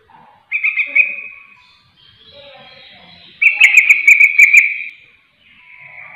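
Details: Sooty-headed bulbul calling to other bulbuls, drawing answering calls; two bubbly trilled phrases separated by softer chatter, with faint high ticking during the second phrase.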